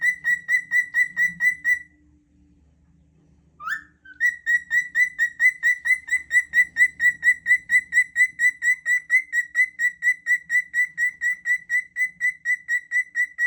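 A cockatiel gives a fast, steady run of bright, clipped whistled notes, about two each second.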